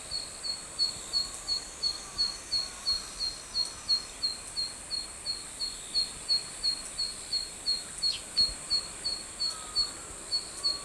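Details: Zitting cisticola calling in summer rice paddies, even in hot sun: sharp, high, clicking notes repeated evenly about three times a second throughout, over a steady hiss of background noise.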